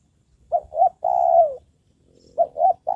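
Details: Trained decoy spotted dove calling to lure wild doves: soft low coos, two short rounded notes followed by a longer drawn-out falling coo, the phrase starting again after a pause in a quiet setting.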